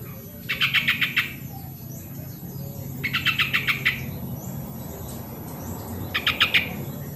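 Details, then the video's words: Lure recording of a yellow-vented bulbul meant to get lazy birds singing: three brisk phrases of rapid repeated notes, separated by pauses of about two seconds, over a steady low background rumble. "suara original burung trucuk pancingan trucukan yang malas bunyi"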